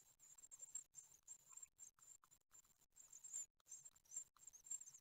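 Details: Great tit nestlings on day 9 in a nest at Ostwald, France, 15 June 2020, during feeding: a dense, high hissing chorus of begging calls in rapid bursts, rising and falling over a few seconds, with soft rustling between.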